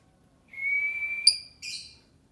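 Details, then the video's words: Lovebird giving a long, thin, steady whistle lasting almost a second, ending in a sharp click followed by a brief harsh, buzzy note, in a quiet setting. "Burung lovebird"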